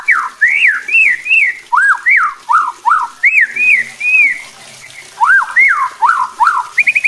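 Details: White-rumped shama song meant to provoke other shamas into aggressive singing: a run of clear whistled arched notes, each rising then falling, repeated in quick varied phrases, ending with a short rapid trill.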